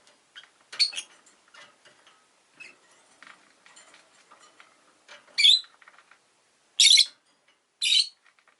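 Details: Rosy-faced lovebird giving loud, shrill, harsh shrieks at irregular intervals, four strong bursts spaced about one to two seconds apart, between softer twittering chatter.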